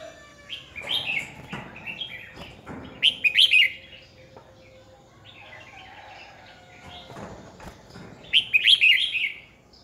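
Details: Red-whiskered bulbul as a lure bird, singing fighting song for training others, 2020: clusters of sharp, sweet warbled phrases at the start, middle and end, separated by quieter gaps of soft chatter.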